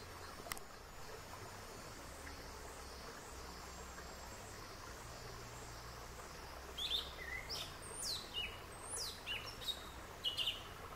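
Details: Song of a yellow-legged thrush (sabiá-una), described as louder than other thrushes; after several seconds of steady background hiss and hum, a run of quick high whistled and slurred notes begins and continues to the end.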